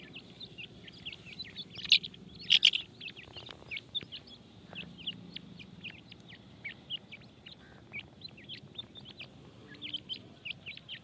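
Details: Grey francolin chicks at feeding time: a steady stream of short, high, thin peeps and chirps, irregular but frequent, with a few louder chirps near the start over a low background hum.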